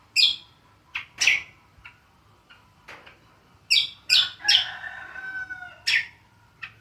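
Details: Greater green leafbird, called cucak kombo, in ngriwik style: irregular squawky chirps mixed with a short run of level whistled tones, then more harsh notes.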